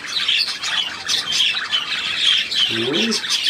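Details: Budgerigar warbling in a steady run of high, scratchy chatter and short squeaky notes, with a brief low human voice near the end.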